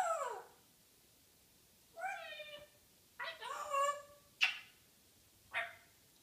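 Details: Morning banter of a pet African grey parrot: a descending squawk, then rising harmonic calls and two sharp clicks or pops, indoors.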